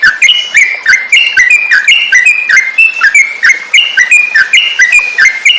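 A Yellow-vented Bulbul sings bright, bubbly whistled notes in quick succession, about four a second, with slightly varied rising and falling phrases; nothing else intrudes.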